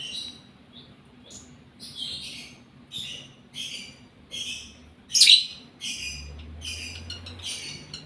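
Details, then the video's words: A lovebird in breeding condition chatters in a run of short, scratchy, buzzy notes, uneven in loudness, with one sharp loud squeak near the middle and a low hum underneath. "Proses Love Bird GARA Birahi Bunyi"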